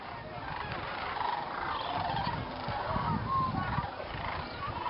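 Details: Sandhill cranes, many thousands, massing at dusk at an Indiana state fish and game preserve before roosting in the swamp. A continuous, layered chorus of rattling, trumpeting calls with no pauses.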